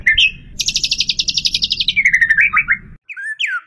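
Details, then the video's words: White-rumped shama in full-isian song built from imitated sounds: a short whistled rise opens into a long rapid rattling trill, slowing into stepped whistles and harsh notes, then a brief pause and two slurred whistles. "Full Isian Murai Batu"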